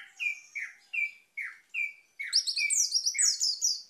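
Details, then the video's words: Orange-headed thrush song used as a lure to prompt stalled birds to sing: loud clear whistled notes falling in pitch, repeated about every half second, then a rapid high twittering run of sharp chirps, no other sounds. "ANIS MERAH MACET AUTO GACOR"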